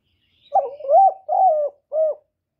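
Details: Spotted dove calling to lure wild doves, recorded up close with no background noise: one phrase of four mellow, hollow coos, the middle two longest and slightly wavering, the last short and falling.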